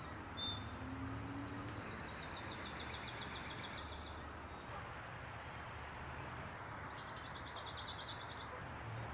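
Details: Pine warbler song heard twice: a long, fainter trill of quick repeated notes, then after a pause a brighter, louder trill of even high notes, with constant low traffic hum and a few faint chirps.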